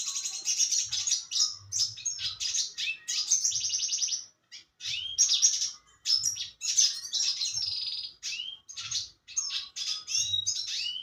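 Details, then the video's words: Red siskin in full song (gacor), singing a fast, continuous twittering song of high, buzzy trills and sharp rising whistles, broken by only brief pauses. "RED SISKIN GACOR"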